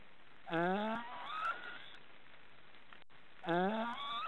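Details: Three young black storks in a nest in an Estonian forest, making their snoring sound: two hoarse rising harmonic notes about three seconds apart, each starting low and sliding upward, over a quiet forest background.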